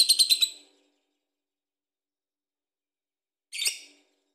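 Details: Lovebird singing in the ngekek style, used to coax other birds into song: a quick burst of five harsh, buzzy chirps, a long silence, then one short rasping note.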